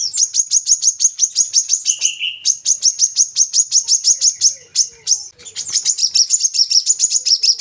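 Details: Coconut sunbird (kolibri kelapa) song used as a lure to get captive birds singing: fast, high, thin metallic notes repeated about three times a second in long trills, with a brief lower buzzy note and short pauses.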